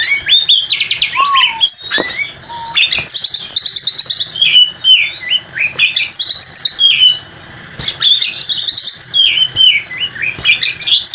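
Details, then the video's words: Oriental magpie-robin in extended rolling song to prompt replies from other magpie-robins. Lower whistled slurs open, then dense high chirps and trills follow, with one short quiet gap near the end. "Kicau Kacer super ngerolllll abis dijamin kacermu langsung nyaut"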